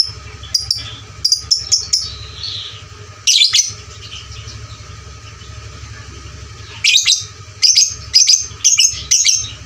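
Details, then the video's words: Lovebird heard as a loud lure for training fighter birds: scattered sharp high clicks and squeaky chirps, a single harsh burst, a quiet stretch, then a rapid run of shrill chirps near the end. Low hum in the background. "pancingan LB FIGHTER volume suara kerasnya paling gesit ciptakan lovebird fighter juara"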